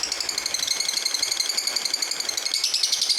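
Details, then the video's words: Lovebird of the fighter type delivering fast, rattling high-pitched chatter, a dense unbroken stream of squeaky notes pulsing several times per second, rising a little toward the end, recorded indoors. "Love bird fighter gacor"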